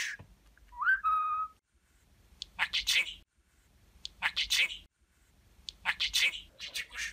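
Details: Talking pet budgerigar copying human speech and kisses: a clear rising whistle opens, followed by three spaced clusters of hissy, raspy syllables about every one and a half seconds.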